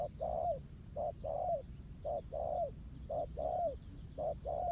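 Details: A wild spotted dove challenges a decoy bird at a ground trap. Each phrase pairs a quick coo with a longer, downward-curving note, about one phrase per second, with a dull low hum underneath.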